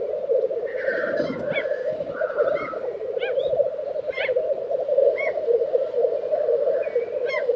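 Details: Black grouse lek in Tiveden, Sweden, April 2023, an unbroken low murmuring chorus. Over it come a few scattered high chirps and soft whistles from other birds, plus occasional low thuds.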